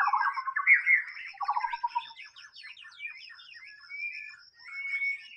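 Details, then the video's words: Wild white-rumped shama in full song, opening with a loud buzzy trill and rising whistles, then a rapid chattering run of short notes and long level whistled tones, no other noise. "SUARA BURUNG MURAI BATU SUARA ASLI DI ALAM BEBAS"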